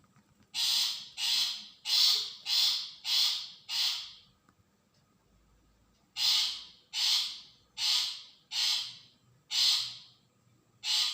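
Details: ['Long-tailed shrike calls used as a lure to provoke a reply from other shrikes: loud, harsh, rasping notes, a run of six followed by a pause of about two seconds, then six more, each note short and grating.']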